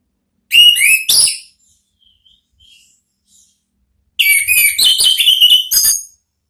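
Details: Orange-headed thrush singing 'ngeplong' style therapy song to draw an answer; two quick loud whistled phrases, quiet soft notes, then a long, varied run of rapid high whistles and trills.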